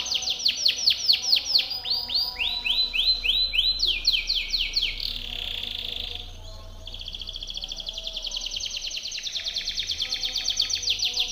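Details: Timbrado canary delivering a powerful training song: series of quick downward-sweeping whistled notes, a short buzzy section, then a long steady rapid trill.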